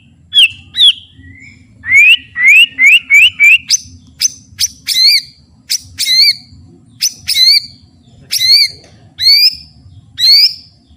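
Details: White-rumped shama full song for master training: clear rising whistles repeated in a short series, then loud upswept notes with high harmonics, spaced about a second apart.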